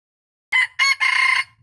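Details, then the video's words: Rooster recorded 06/04/2022 giving a loud, harsh crow in three strained segments, the last one long and held, starting after half a second of silence. "suab qaib qua tuaj zoo"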